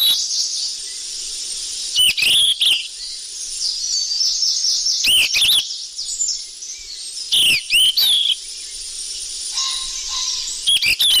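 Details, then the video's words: Lure recording of a golden flycatcher calling busily: clustered bright chirps and rising whistles in repeated bursts, rough clicks mixed in, constant hiss, and a faint low tone near the end. "Suara pikat burung sikatan emas ribut"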